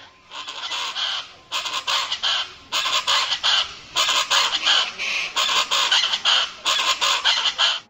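Chachalacas calling in loud, harsh, raucous phrases, repeated about once a second in a rhythmic, grating chorus with no other sounds clearly heard.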